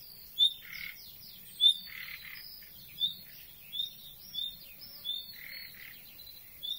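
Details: Common nightingale giving an unusual non-song sound: a series of short, high whistled notes and sharp buzzy chirps, repeated about once a second, with quieter raspy notes between them in an otherwise quiet setting.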